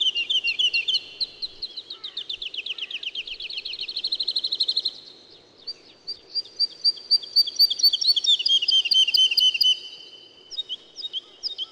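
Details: Woodlark singing: a rapid trill of repeated liquid notes that slowly descends in pitch and fades, then after a brief pause a second fast rolling series of clear high notes at an even pace.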